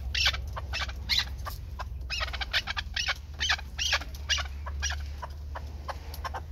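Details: Pamir chukar partridge, a bird kept for hunting. It makes harsh, broadband clucking notes in uneven bursts and clusters, with a steady low hum underneath.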